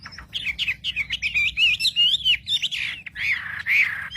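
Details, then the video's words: Wambi birdsong meant to provoke rival wambi: a rapid, varied string of wavering whistled notes and chirps, each about a quarter second, delivered almost without pause. "pancingan suara wambi paling ampuh untuk memencing emosi burung wambi"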